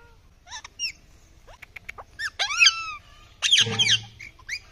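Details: Rose-ringed parakeet giving scattered high squeaks and chirps, some sliding downward, with a brief harsh burst near the end.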